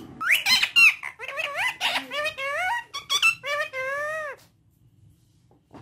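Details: Ringneck talking parrot speaking Urdu and Hindi: rapid, high-pitched, speech-like phrases with bending tones, ending on a drawn-out wavering syllable, then quiet.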